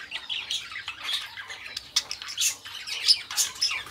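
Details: Pair of pet budgies singing and talking, a rapid mix of twittering whistles, clicks and harsh squawk bursts with no pause.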